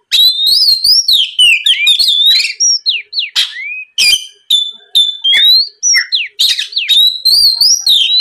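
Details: Oriental magpie-robin song meant to make rival birds answer: steady stream of loud whistled phrases, wavering and sliding up and down, with sharp downward notes and brief pauses about every second.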